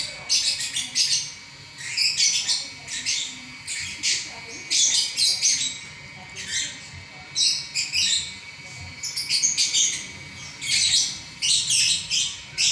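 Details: Lovebird in continuous song, an unbroken stream of harsh high chirps and squeaks in fast uneven groups, scratchy and insistent, over light background noise.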